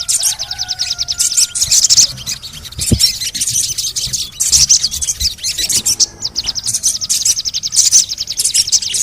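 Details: ['Ruby-cheeked sunbird (sogon) recording for prompting a quiet bird to sing: long runs of fast, buzzy, very high twittering pulses, nearly continuous, with a brief lower whistled tone early and a single sharp knock.']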